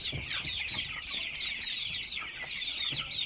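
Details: Crowded chick chirping forming an unbroken band of high overlapping peeps, with a few low taps.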